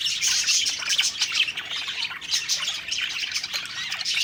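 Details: Budgies chattering happily at their food, rapid high chirps and bright whistled notes mixed with buzzy squawks in a dense flock chorus.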